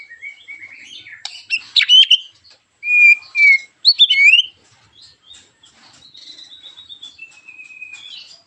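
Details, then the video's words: White-rumped shama singing sharply to provoke other shamas: scattered scratchy notes, loud clear whistles around the middle, then a long soft descending whistle trailing off. "TEMBAKAN TAJAM KASAR burung MURAI BATU gacorr memancing agar murai anda ikut NEMBAK"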